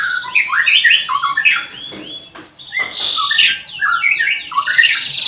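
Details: Canary song meant to stimulate silent young canaries: a jumble of quick warbled and slurred notes in varied pitch, broken by brief pauses, with faint clicks in the background.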